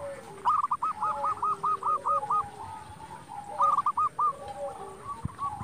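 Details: Local zebra dove cooing, a sound meant to provoke rivals into answering: a long run of even, looping coo notes, a pause, then a shorter run, with several other doves faintly overlapping.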